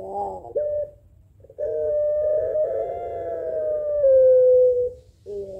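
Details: Puter pelung Barbary dove answering a rival: short notes open, then a long sustained mellow coo lasting over three seconds that drops slightly at the end before another note begins.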